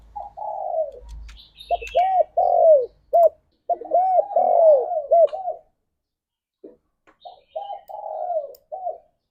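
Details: Spotted dove singing energetically in the morning, a lure meant to trigger breeding readiness: repeated runs of hollow, arched coos ending in long downward-sliding notes, three phrases with brief pauses, faint high chirps and low rumble.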